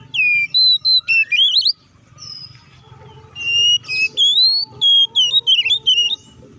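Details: Fighting song of an Oriental magpie-robin meant to rile up rival birds: two runs of bright whistles, the second a longer warbling phrase of wavering, slurred notes, with faint hum beneath.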